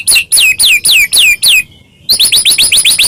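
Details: White-rumped shama singing to provoke other shamas into song; a steady series of loud descending whistled notes, a short pause, then faster rising chips.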